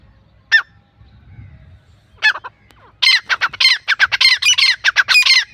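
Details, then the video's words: Grey francolins, male and female, call with a few isolated harsh squawks, then a fast run of loud, grating, high-pitched notes tumbling over one another. "dakhni teetar ki awaz female and male teetar voice teetar calling"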